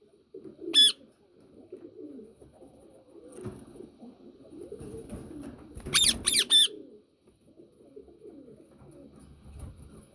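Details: A yellow ringneck parakeet gives one harsh, screechy call, then a tight cluster of three rasping shrieks about five seconds later; soft indoor rustling and low murmuring fill the gaps.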